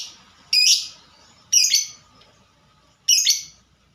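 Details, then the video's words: Fighter-type lovebird in 'ngetik' (typing) song: three loud, rasping chirps, each a brief burst, separated by roughly a second of near silence. "Burung Lovebird Suara Ngetik Dan Sama² Fighter"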